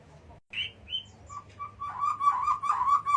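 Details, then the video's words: A white-rumped shama (murai batu) from Jatiuwung sings two clear rising whistles, then a run of repeated buzzy, harmonic-rich notes at a steady, quickening rhythm. "Suara murai batu"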